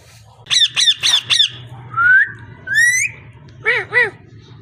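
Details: Parrot vocalizing: a series of four harsh, rhythmic squawks, then two drawn-out rising whistles and two short squawks, over a low steady hum.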